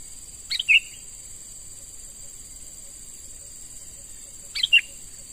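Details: A young sooty-headed bulbul, wild-caught and being trained as a lure, gives two short chirping phrases with a sharp opening note, spaced about four seconds apart, over persistent insect buzzing.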